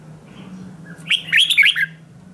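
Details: Short morning song burst from a red-whiskered bulbul in training, 'ché' competition style: a quick, rich warbled phrase of slurred whistles lasting under a second, over a steady low hum.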